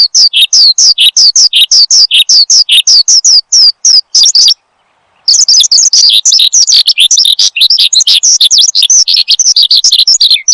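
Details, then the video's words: Prolific branjangan (Horsfield's bushlark) song for luring and tutoring cage birds: rapid, evenly spaced high chirps and whistles, a short silent gap, then a denser, faster chattering flurry. "Kicau Burung BRANJANGAN Gacor, Untuk Pancingan Dan Masteran"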